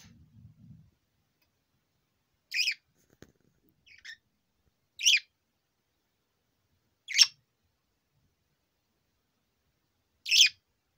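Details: Four-year-old male pet budgerigar giving short, sharp, high chirps spaced roughly two to three seconds apart, five calls in all, after a brief low murmur at the start; otherwise quiet indoors.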